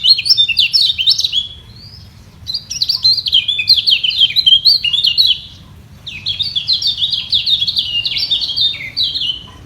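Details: Competing white-eyes trade song in a battle for the top perch, neither giving way: three long runs of fast, high, jumbled twittering notes separated by brief pauses, lively and sustained.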